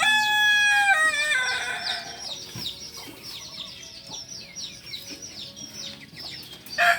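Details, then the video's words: Native Solok singing chicken, the Kokok Balenggek, farm-bred in Indonesia: the loud end of a crow slides downward over the first two seconds, then small birds keep up steady high chirping over a low background hum. "Ayam kukuak balenggek ayam penyanyi asli solok"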